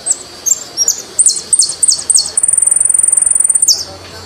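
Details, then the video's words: Argentine jilguero, or saffron finch, singing: scattered high downslurred notes build into a steady rapid trill lasting over a second, ending with a falling note; a low hum runs in the background. "JILGUERO ARGENTINO"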